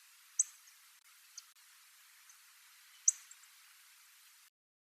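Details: Single little bunting passing through Tobishima island, Japan, on a school ground; sharp high ticks, a strong one, a faint one, then another strong tick almost three seconds later, with light hiss.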